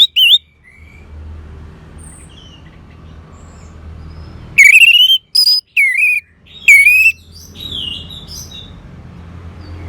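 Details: Orange-headed thrush used as a singing prompt for caged birds: a short rising whistle, several seconds of near silence, then four loud, rising, clear whistled notes close together before fading to quiet.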